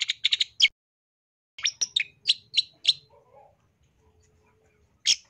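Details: Long-tailed shrike singing loudly in a training recording for cage birds: quick clusters of sharp, high chirps and scratchy notes, a pause, then more clipped bursts and a last harsh note, with a faint low hum beneath.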